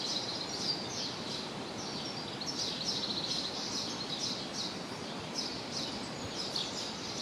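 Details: A common blackbird at Choupal, Coimbra, gives sharp, high ticking notes in short clusters about every second, over a steady background hiss of wind or distant noise.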